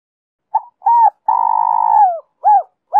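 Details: Spotted dove in Giọng Kim two-ending style, used as a lure for wild doves: a faint opening note, a short coo, a long sustained coo dropping at its end, then two short rounded coos, one cut off.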